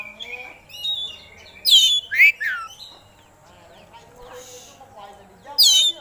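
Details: Oriental magpie-robin, a contest songbird, showing its repertoire: soft thin whistles, two loud sweeping downslurred whistles, a pause with faint notes, then another bright falling whistle.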